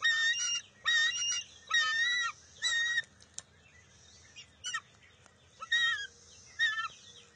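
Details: At a bald eagle nest on June 23, 2021, an eaglet and its mother tussle over a fish. Loud, harmonic squealing calls come in clustered bursts about once a second, followed by softer, broken notes.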